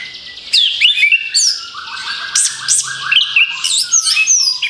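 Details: Lure song of an orange-headed thrush (anis kembang): a fast medley of sharp downslurred whistles, chattering notes and buzzy rattles, with high squeaky sweeps throughout.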